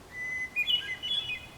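Hermit Thrush song: a long, pure whistled opening note, then a quick, higher, flutey, wavering phrase. It is clear and ethereal, with a quiet background.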